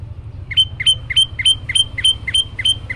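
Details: Olive-backed tailorbird (prenjak lumut) singing in a lively, varied style: a rapid series of about nine sharp, bright notes, each a short upslur that settles into a clear whistle, repeated roughly four times a second over a steady low hum.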